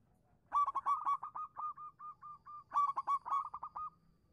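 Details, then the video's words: Singing local zebra dove meant to draw replies from silent doves. Two loud phrases of rapid, staccato cooing notes, each starting strong, then trailing into softer, rolling coos. "suara burung perkutut lokal manggung pancingan cepat nyaut untuk perkutut macet bunyi"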